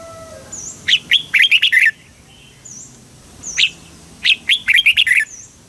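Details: Song of a red-whiskered bulbul from Thailand, a southern master-style phrase used to stimulate birds and train young ones. Two rapid runs of bright warbled notes are separated by a pause, over thin high whistles from other birds.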